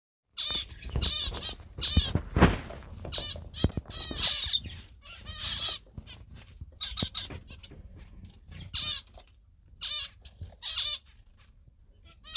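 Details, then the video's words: Zebra finch singing: short bursts of nasal, buzzy notes stacked in bright harmonics, given in quick clusters with brief pauses between, over low rustling and fluttering noise. "Zebra Finch Bird Singing Beautiful Song"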